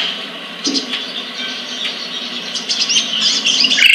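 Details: Sunbird (sogon or sriganti) from a private bird collection in Pemalang, Central Java, Indonesia, kept caged; rapid high-pitched twittering builds in loudness toward the end over a faint low hum.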